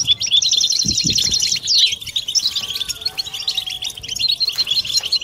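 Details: A chorus of European goldfinches, twittering together to prompt mating song in males and females; an intense tinkling trill opens, followed by a buzzy downward slur, then lighter scattered chirps, with faint low thuds early on.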